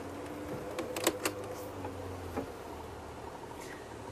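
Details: A low vehicle engine hum with a steady drone and a few sharp clicks and knocks; no animal calls.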